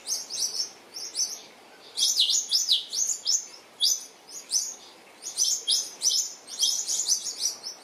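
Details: New Holland honeyeaters (Phylidonyris novaehollandiae), bathing noisily and disturbing a resting western grey kangaroo and joey, give sharp, high chips and squeaky twitters in quick bursts, likely from several birds, over a faint hiss.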